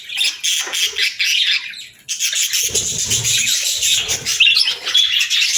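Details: Budgerigar chatter in two busy bursts of high chirps, squeaks and rasping warbles separated by a brief lull, with soft low thuds underneath.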